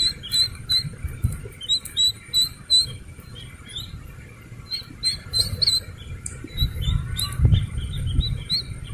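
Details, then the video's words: Slaty-legged crake chick calling with quick high chirps in short bursts separated by pauses. A few clicks and a faint low rumble sit in the background. "Suara anak Burung Sintar MP3 || Slaty-Legged crake"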